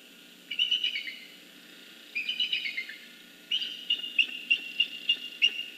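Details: Female bald eagle at a webcam-watched nest in northeast Florida, November 2014, announcing her first egg to her mate: three bursts of rapid, high, squeaky chittering notes, the last a longer run of evenly spaced piping chirps.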